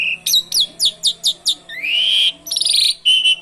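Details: Asian pied starling (jalak suren) in full gacor song filled with canary imitations: a series of six quick downslurred whistles, a long rising whistled note, then a rapid trill and a steady whistled tone, clean and loud.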